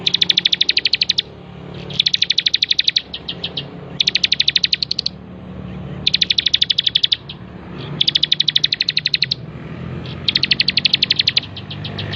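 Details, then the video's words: Bar-winged prinia singing persistently, used to train other birds: six bursts of fast, shrill clicking trills, each about a second long, repeated roughly every two seconds over a low hum. "burung ciblek gacor"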